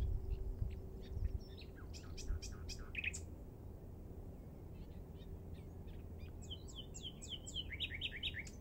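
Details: Common nightingale (Luscinia megarhynchos) singing at Minster marshes, Thanet, on 5 May 2014: rich, varied phrases of sharp notes and trills, closing with a rapid series of repeated whistled notes over a low steady rumble; song.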